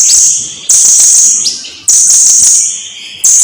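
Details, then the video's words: High, shrill buzzing trills from a blue-crowned hanging parrot, from a long recording made to teach other birds to sing. Each trill lasts about a second before a short gap, then breaks out again at full strength. "Kicauan Suara Burung SERINDIT GACOR !! Durasi Panjang || Sang Guru Vokal"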